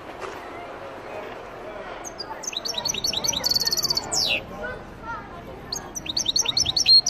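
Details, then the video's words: Meqnin, the Algerian goldfinch, begins after a quiet start with rapid chattering twitters, a dense buzzy trill and a falling slur, then pauses and resumes with quick rising chirps; soft room noise beneath. "مقنين تيواواطي Algerian goldfinch"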